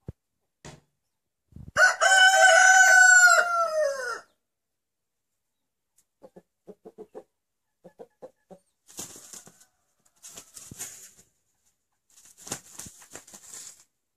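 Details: A domestic rooster, said to call out "anneanne" (grandma), lets out one long, loud, arching crow, followed by quiet clucking from hens and bursts of hissing rustle.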